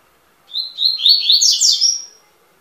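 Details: Double-collared seedeater singing a clear phrase of about one and a half seconds. It opens with a thin whistled note, then runs into rapid twittering warbles that rise and fall, in silence.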